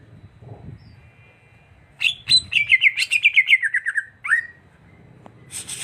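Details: Greater green leafbird singing: after a quiet start, a rapid run of bright trilled notes descends steadily in pitch for about two seconds, ending in a short upslurred note, with faint low background hum.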